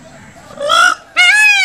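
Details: Peacock giving two short, loud, nasal, harmonic-rich cries, the second higher and brighter, like a honking wail, over faint background hiss.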